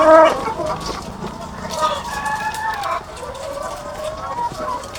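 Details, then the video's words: Thousands of laying hens kept on a farm. A loud harmonic call opens, then a continuous murmur of overlapping clucks and short calls fills the remaining seconds. "The Sound of Thousands of Egg-Laying Chickens"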